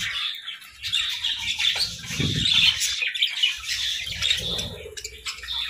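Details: Several parakeets chatter in the morning, high twittering and scratchy squawks rising and falling in loudness, with a brief low bump of movement midway.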